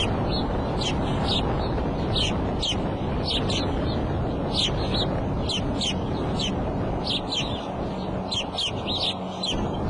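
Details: Bald eagles at the Decorah nest on April 5 at 2:30 pm, the female calling before leaving and the male arriving; high, thin chirping notes in quick uneven series, rising and falling, over a steady low rumble of wind or camera noise.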